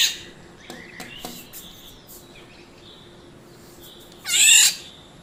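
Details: Black-naped oriole, a yellow bird, giving one loud, harsh, nasal call burst late in the recording, preceded by a few faint softer notes against quiet background hiss.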